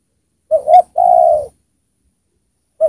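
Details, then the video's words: Spotted dove used as a decoy to lure wild ones down, cooing low: a short note, a rising second note and a long, even coo that fades, then the next phrase begins. "Pikat Tekukur Gacor di Turunin Tekukur Liar"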